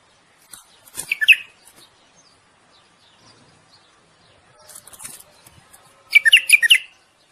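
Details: Courtship song of a common bulbul urging the female to breed: a brief bubbling warble, a quiet pause, then a second bright, tumbling phrase about five seconds later.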